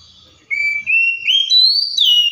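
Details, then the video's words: Wild-sounding Oriental magpie-robin song meant to set other birds singing: one clear whistled phrase climbing in steps through four or five pure sustained notes, then ending on a brief falling slur. "COPSYCHUS SAULARIS SOUNDS LIKE THE WILD MAKES OTHER BIRDS SOUND"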